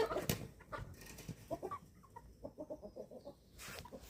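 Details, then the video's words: Young chickens, eleven weeks old, feeding on a family farm in Germany; soft low clucks repeated about three times a second in an uneven run, with a sharp knock and rustling at start and end. "11 Week Old Chicks Feeding Time"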